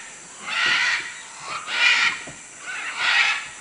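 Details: Macaws in Manu, Peru, giving loud harsh squawks, three broad raspy bursts spaced about a second apart, each noisy and rough, with faint background hiss between them.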